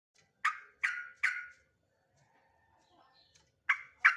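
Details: Male sooty-headed bulbul giving three quick, emphatic chirps close together, then a pause with faint background twitters, then two more sharp chirps.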